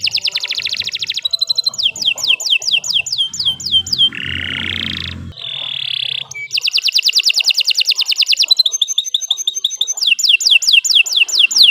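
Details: Canary in long continuous song for training other birds: rapid repeated trills and downward-swept whistles, broken midway by harsher buzzy notes with a low rumbling noise behind.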